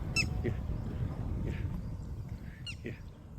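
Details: Sarus crane, one of a pair foraging in a marshy paddy field and pulling up soil for food, filmed from far away: two brief, loud, brassy honking calls about two and a half seconds apart, over steady low wind rumble.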